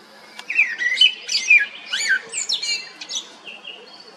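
A common blackbird sings a few mellow, fluty warbled notes that break into higher, squeaky twittering, with short pauses between phrases.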